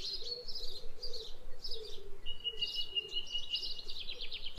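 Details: Outdoors with its owner, a budgerigar gives short chirpy phrases, then one long steady whistle that breaks into quick trilling notes, with soft background noise throughout.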